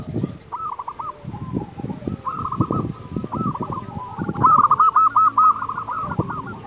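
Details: Local zebra dove singing, a training song for doves slow to sing and to stir arousal: repeated soft cooing phrases, then a louder rapid stutter of pulsed coos near the end, with several other doves cooing in the background.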